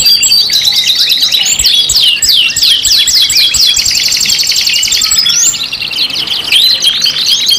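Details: Canary singing on a five-in-one kenari lure track: quick repeated downslurred chips in fast series, then a sustained buzzy roll and a few rising whistles near the end.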